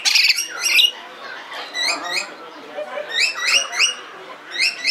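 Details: Zoo-held red lory, Belgrade, Serbia, 2022: a loud opening squawk, then series of short, high, hooked chirps repeated in quick bursts over faint background murmur.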